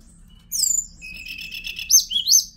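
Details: Hill blue flycatcher singing a brief phrase: a high thin whistle, then a soft rapid trill, ending in two sharp rising-and-falling whistled notes, all very high-pitched over faint low background hum.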